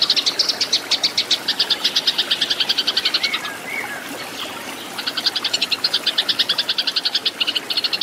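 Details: Eurasian tree sparrows fighting, used to train caged birds: rapid clear chirp runs, a quieter gap of soft slurred notes near the middle, then loud fast chattering again.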